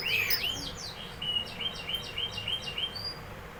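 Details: Canary singing a fast, high trill of repeated sweeping notes that rise and fall in quick succession, with short rolling phrases running through the whole stretch over a faint low hum.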